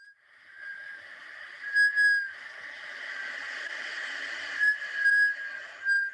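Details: Large group of Black Scoters (Melanitta americana) giving plaintive, mellow, haunting whistles that rise and fall, a few louder notes over a steady chorus of many birds calling together.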